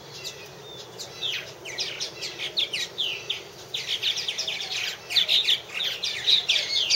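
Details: Purple martins at one of three nest houses, 2014, starting quietly, then building into busy overlapping chirps and croaky, gurgling notes from several birds.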